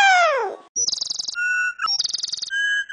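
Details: Pet talking bird sings after being asked to sing a happy song: a falling whistled glide, then rapid pulsed buzzy trills alternating with steady mid-pitched whistled notes, a brief pause in between.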